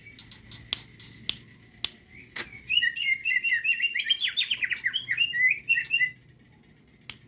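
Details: Greater green leafbird singing with its crest raised, opening with a few sharp clicks and thin chirps, then a rapid, dense three-second burst of warbled, twittering notes, followed by a quiet pause and one final click.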